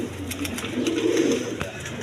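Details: Native and foreign colour pigeons kept with eggs and chicks give a low throaty coo that rises and rolls in the middle, with scattered clicks and a room hum beneath.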